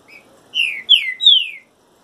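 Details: Green-winged saltator (trinca-ferro) singing during moult: a short phrase of three loud, clear whistles, each sliding downward, the last one longest, in quick succession over a quiet background.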